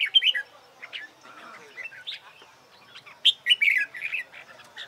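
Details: Red-whiskered bulbul (chào mào) singing in competition style, practiced for singing contests: short bright warbled phrases in two bursts at the start and end, separated by a quieter pause.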